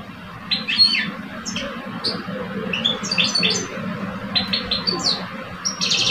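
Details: European goldfinches, two caged males in Algeria, one old and one two years old, duelling in song; scattered liquid chirps and short twittered runs, ending in a dense buzzy flourish, with low constant hum behind.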